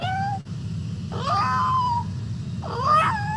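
A Superb Lyrebird imitating a cat: two drawn-out, meow-like wails that rise and then slide down, each about a second long, over a low background rumble.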